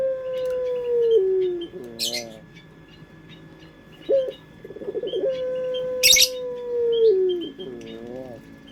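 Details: Lure recording of a puter pelung collared dove: two drawn-out, even coos, each dropping in pitch at the close and trailing into quavering notes, with sharp chirps of other birds and a steady hum behind.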